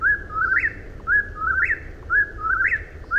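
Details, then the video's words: Eastern whip-poor-will singing its whistled three-part phrase, each with a short note, a lower slur and a sharp rising upsweep, repeated about once a second with steady low background hum. "Deep Relaxation with Whippoorwills"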